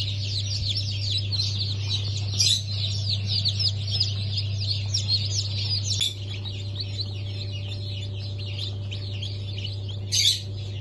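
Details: Newly hatched chicks of Sultan, Turken, Australorp and Sussex breeds; dense, continuous high peeping from many birds over a steady low machine hum.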